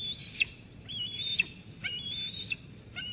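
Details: Sauces Canyon eaglet, 13 June 2021, squeeing at its mother after she delivers food until she departs. Three high, thin, sustained whistles, each ending in an abrupt downward drop, roughly one per second.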